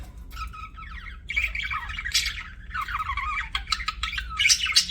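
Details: Chirping pet budgies: warbled, wavering notes and rasping squawks rising in intensity, with a few thin high squeaks toward the end and low background hum.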